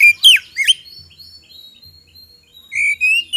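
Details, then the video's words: Magpie-robin song used as a lure to prompt other birds to respond: loud swooping whistled notes sliding down, then softer thin whistles and a bright rising phrase near the end, with faint low thumps beneath. "PANCINGAN KACER GACOR AGAR CEPAT RESPON"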